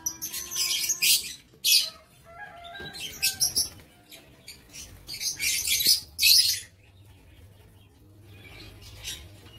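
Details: Lovebirds kept in an aviary, 7 April 2023, producing several clustered bouts of high, harsh screeching chatter, then falling quiet toward the end.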